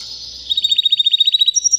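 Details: A three-year-old white canary holds a thin sustained tone, then breaks into an even, quick trill of repeated pulsed notes, finishing on a higher whistled phrase.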